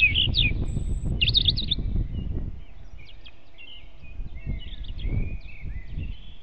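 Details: Near its nest in a forest at dawn in April 2016, a European robin gives short high warbled phrases at the start, then fainter thin notes, against heavy low-pitched background noise.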